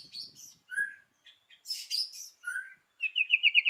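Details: White-rumped shama (murai batu) singing in the morning, a lure recording meant to set other shamas singing along; varied clear whistles and buzzy notes at shifting pitches, ending in a fast, rapidly repeated high trill.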